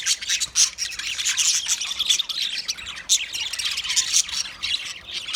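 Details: Many budgerigars twittering together: a steady stream of thin, high chirps mixed with rasping squawks, with a few sharper whistled notes standing out above the din.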